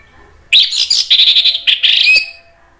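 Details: Orange-headed thrush song played to provoke other thrushes to answer: a loud, dense burst of rich, scratchy and whistled phrases lasting about one and a half seconds, with quiet background.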